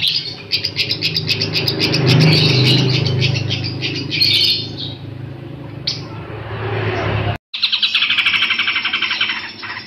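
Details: Long-tailed shrike singing a tutoring song for other birds: rapid chattering and scratchy high notes, a steady low hum beneath, then a brief gap before a dense burst of quick repeated notes.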